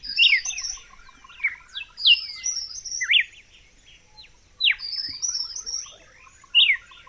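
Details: Red-cowled cardinal song, original sound without effects: bursts of steeply sweeping whistles roughly every second or two, set against a busy background of high twittering and soft rhythmic ticking.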